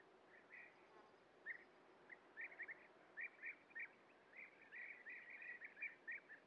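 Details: European bee-eaters (Merops apiaster) at a breeding colony, feeding young at a nest burrow, give short, rolling, liquid 'prruip' notes, several a second and sometimes overlapping, over a steady background hiss.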